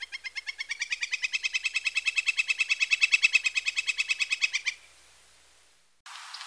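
A Northern Flicker gives a loud, rapid run of identical sharp 'wick' notes, about eight a second, for nearly five seconds, then a brief noisy burst.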